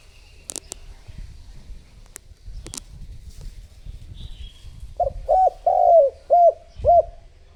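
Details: Lure spotted dove meant to draw in other doves: a few seconds of clicks and rustling, then five low coos in quick succession, one longer and sliding down.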